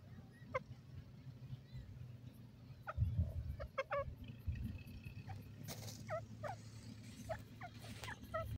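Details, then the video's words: Grey francolin calling: a run of short, sharp, rising notes repeated in quick clusters, growing busier toward the end over a steady low rumble of background noise. "irani teetar ki awaz,irani teetar voice,grey francolin"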